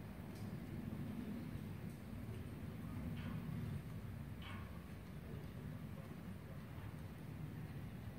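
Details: Steady low rumble with faint short knocks; no bird voice stands out.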